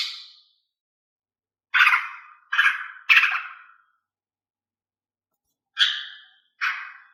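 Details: Female greater green leafbird song, used to prompt males to sing. Short, harsh, ringing notes fade quickly: one at the start, a quick run of three around two seconds, then two more near the end, with silence between.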